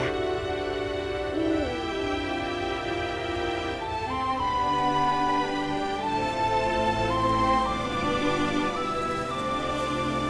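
Soft, slow instrumental music with sustained tones and gently shifting melody, no animal sounds.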